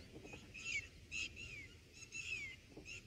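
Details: Baby red bulbuls in the nest being fed blackberries and a fluffy moth by a parent. Reedy, harmonic calls come in bursts about every half second, several gliding downward at the end, with faint rustling beneath.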